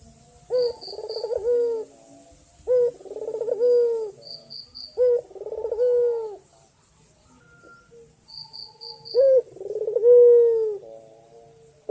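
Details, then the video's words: Male white ringneck dove calling for a female, full of energy: four rolling coo phrases about every two to three seconds, each a quick throaty trill sliding into a sustained low note, with brief high chirps between. "Puter Putih Gacor Jantan Memanggil Betina"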